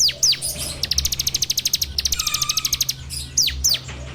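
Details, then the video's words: Bar-winged prinia, recorded on Android as a training lure: opening downslurred whistles, then a long, fast run of sharp high clicks, closing with two more falling whistled notes. "PANCINGAN SUARA CIBLEK TERBAIK FULL NGEBREM RAPETT!!!"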